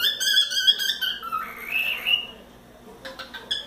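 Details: Young pet cockatiel of four months, playing on its playground, whistles a string of quick repeated notes followed by a long smooth rising-and-falling whistled slide, then brief clicks.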